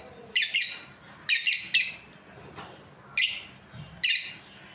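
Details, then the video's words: Two lovebirds of a breeding pair utter piercing, squawky chirps, five spaced notes, some paired, over faint low hum. "Happy lovebirds chirping sounds| breeding pair"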